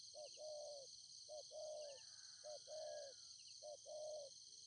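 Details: Spotted dove used as a Ninh Thuận decoy, calling to attract wild doves; quiet, fairly distant coos in a repeating pattern, a short note followed by a longer level coo, three times, under loud shrill insects and low rumble.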